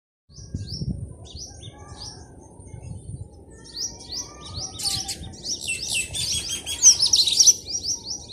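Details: Birds chirping on a village morning, recorded outdoors in a natural setting: thin high downslurred chirps repeated irregularly, joined later by a denser, louder twittering chorus.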